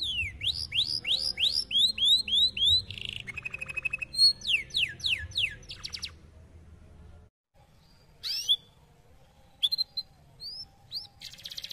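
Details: A canary delivers rapid series of falling whistled notes, a short buzzy rattle, then more quick sweeps; the song breaks off into near silence with only a few scattered chirps and a brief buzzy phrase near the end.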